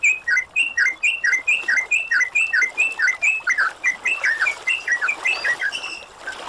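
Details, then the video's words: Yellow-vented bulbul (trucukan) bright, bubbling chirps about two per second, overlapping as if from several birds, over a faint hiss, played as a training recording to get stressed or silent bulbuls singing again. "MASTERAN BURUNG TRUCUKAN GACOR"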